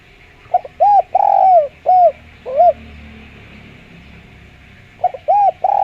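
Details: Spotted dove with a clear voice, used as a lure: a phrase of short hooked coos and a longer drawn-out coo, a pause of about two seconds, then the phrase begins again, over a faint steady background hiss.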